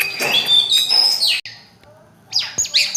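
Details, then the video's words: Long-tailed shrike singing: bright, high chirps and scratchy, sliding notes in two bursts separated by a short quiet gap, with a soft click near the end. "Burung centet/pentet bersuara emas"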